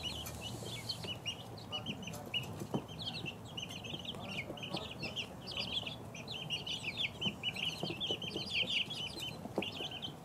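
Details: Two-week-old chicks cheep softly at first, then their high peeping grows busier and louder, overlapping notes filling the second half, with occasional clicks and low noise.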